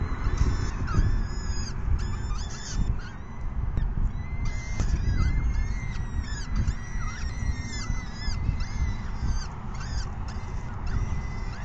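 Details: Peregrine falcon chicks begging at an evening feeding, 6 PM on 14 May 2021: many overlapping shrill, downslurred squealing cries repeated steadily throughout, over a heavy low rumble of wind or handling noise.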